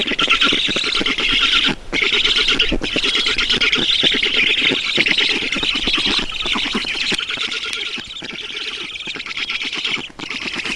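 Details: Estonian black stork nest at feeding time, 10 June 2019, 12:52: a long stream of harsh, rasping squawks, briefly interrupted twice, then continuing a little quieter toward the end.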